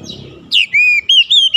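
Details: White-rumped shama lure song for prompting other shamas: a brief sequence of long, pure level whistles, each held briefly, separated by short gaps.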